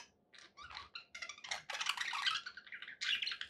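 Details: Happy pet budgies in a dense, rasping warble of squeaks and buzzy chirps that builds from a quiet start into continuous chatter.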